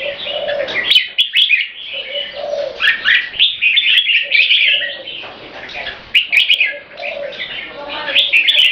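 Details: Caged purebred Thai red-whiskered bulbul from a champion bloodline, tame, giving its non-stop keke competition call: dense, rapid, chattering bursts, with lower hollow mellow notes recurring in the background.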